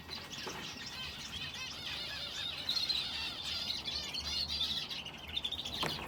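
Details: Finches in an aviary that also holds a canary. The birds keep up a dense, unbroken chorus of high twittering chirps and quick trills, with several voices overlapping throughout and a faint low hum underneath.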